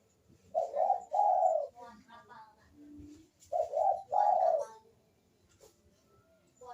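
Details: Barbary dove cooing as a lure for reluctant doves: two paired bursts of rough, mid-pitched coo notes separated by a pause, over faint room background noise.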